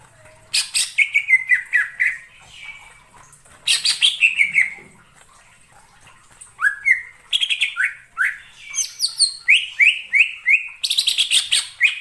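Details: Greater green leafbird (cucak ijo) singing in the wild forest: bursts of sharp chirps followed by bright, descending slurred whistles, phrases repeated in quick runs with short pauses between.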